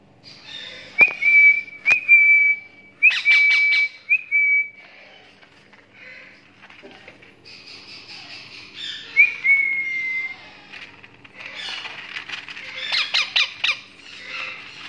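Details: Rose-ringed parakeet chicks, creamino ringneck babies: thin, steady high whistles, each lasting about a second, alternating with raspy, grating bursts that grow busier toward the end.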